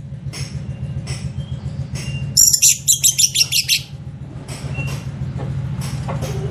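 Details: Orange-headed thrush lure song: a brief burst of rapid, very high chattering notes, about eight in quick succession, over a constant low droning hum.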